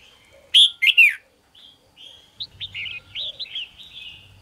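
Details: Red-whiskered bulbul singing in the morning in captivity: three loud, harsh, downward-sweeping whistles open, followed by a long string of quick, softer chirping notes at a lively pace.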